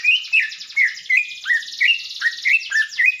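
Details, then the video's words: Cucak ijo (greater green leafbird) delivering a string of short, rising whistled chirps at a steady pace, over a constant high-pitched hissing, buzzy background sound that runs throughout. "Cucak Ijo Intinya Bunyi Dulu"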